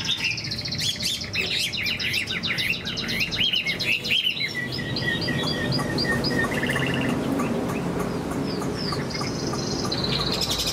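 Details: Kept Chinese hwamei during moult with a high song: rich rapid warbling and swooping whistles for four seconds, then a steady string of short even whistled notes and faint high flicks over continuous noise.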